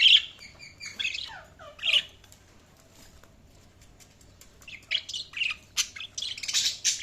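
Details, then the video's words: Budgerigar chirps: a twittering run of short, bright notes with downward-slurred chirps opening the clip, then a quiet pause, then a dense busy chatter of scratchy high chirps toward the end. "Budgies Sounds| Budgies Chirping sound"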